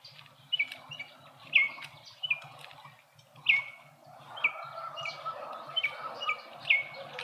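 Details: Speckled mousebirds feasting at a feeder in a suburban garden in Pretoria, South Africa: short sharp notes dropping in pitch, repeated roughly every half second to a second, over a low steady hum.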